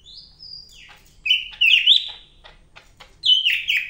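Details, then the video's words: Greater green leafbird of the Medan type singing hard, with a high thin whistle followed by twisting, fluty warbled phrases and a final strong slurred whistle. "BURUNG CAK IJO MEDAN GACOR NGAMUK"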